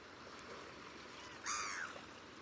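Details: A Black-headed gull, seen tap-dancing to find food at the water's edge, gives a single harsh, grating 'kraah' lasting about half a second over a steady background rush of water.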